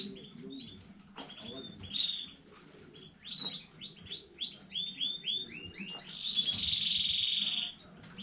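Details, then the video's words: Newly bred domestic canary recorded 15 May 2019, singing a bright high song: a few chirps, then a long run of repeated rolling notes about three per second, ending in a fast buzzy trill, with faint low room noise. "KANARYA ÖTÜŞÜ YENİ ÜRETİM HANEDEN 15.05.2019 CANARY SINGING"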